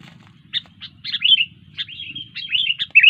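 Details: Sooty-headed bulbul singing lively: short bubbly chirps then warbling, slurred whistled phrases, with a faint low rumble underneath.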